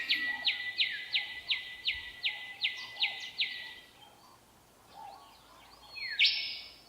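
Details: Willie wagtail singing in the Australian outback to attract a mate and establish territory: a rapid run of about nine bright, clipped whistles, under half a second apart, then a single rising sweep over faint hiss.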